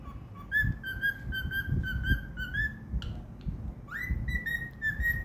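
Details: Pet cockatiel whistling a happy tune: a run of steady, even, flute-like notes held at a similar pitch, then a sharp rise into a longer sustained whistle, over faint low room rumble.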